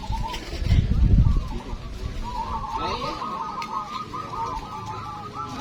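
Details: Zebra doves at a local perkutut singing competition near Magelang on a hot afternoon, 84 birds entered: several overlapping rapid, bubbling trilled coos, with a low rumble and murmuring voices early on.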